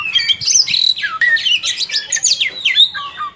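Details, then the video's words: Oriental magpie-robin in full, energetic song, described as ngobra: a rapid medley of loud whistled phrases, rising and falling slurs and sharp chirps packed together without pause, bright and high-pitched throughout. "kacer gacor,ngobra"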